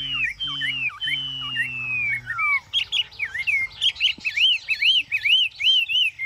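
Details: A caged Chinese hwamei sings ngũ trường style in Vietnam on a hot day, opening with long gliding whistles that slowly fall, then switching to bouncy, arched whistled notes repeated roughly twice a second.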